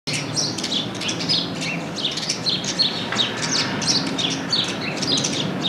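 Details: House sparrows in the city of Paramirim, where they are found in the squares; a dense run of short, bright overlapping chirps from several birds with steady background hum.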